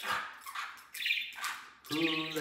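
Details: A pet parakeet that learned barking from a dog in its building, and does it every morning, gives harsh, raspy bursts mimicking a dog's bark, then a lower, voice-like tone.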